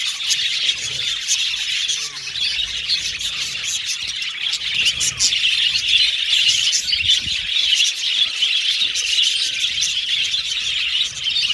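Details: Budgerigars chirping, contact calls of social birds seeking companionship: a dense, continuous flock chatter of overlapping high chirps, warbles and squeaks, steady throughout with no pauses.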